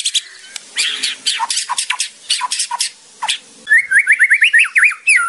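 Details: A white-rumped shama (murai batu) in a training recording: a series of harsh scratchy bursts, then a rapid run of zigzag whistled notes near the end.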